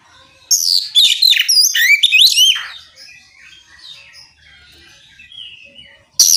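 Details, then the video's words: Oriental magpie-robin singing to draw other magpie-robins into answering: a burst of loud, varied whistled phrases with rising and falling slurs and quick chirps, then a quieter stretch with faint background calls and a final sharp note. "Suara kicau kacer ngeplong memancing kacer apasaja ikut bunyi nyaut ngeplong gacor!"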